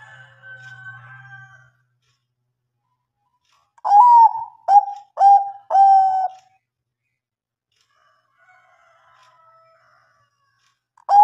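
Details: Zebra dove of the Bangkok variety, sung to spur silent birds into answering: a faint hum and distant tones, then a tight series of four rich, slightly rolling coos roughly half a second apart, another starting at the end.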